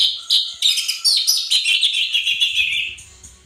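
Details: Caged-bird training song of an Orange-headed thrush, gacor teler style: rapid, jumbled high chirps and warbles, about three notes a second, falling slightly in pitch toward the end, with a faint low hum beneath.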